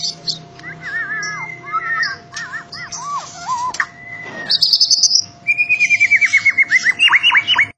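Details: Champion contest White-rumped shama with a loud song: clear looping whistles, a high ringing phrase, then a fast repeated trill and sharp downward notes, a faint low hum beneath.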